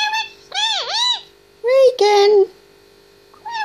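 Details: Indoors, a pet grey parrot aged 18 months imitates speech with long drawn, swooping vowel-like sounds, then two loud flat syllables, and a short phrase at the end; steady electrical hum underneath.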